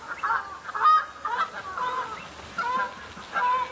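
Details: Flock of common shelducks sparring at the start of the breeding season, establishing pecking order and impressing potential mates, giving harsh, nasal honking calls in about six short bursts over four seconds, some overlapping.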